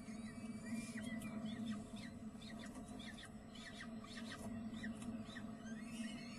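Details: During feeding in spring a peregrine falcon utters rapid, short descending squeals, roughly three per second and somewhat irregular, over a steady droning hum.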